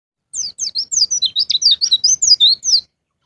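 A white-eye sings a fast, high twittering run of about fifteen thin, slurred notes, many dropping in pitch, over two and a half seconds.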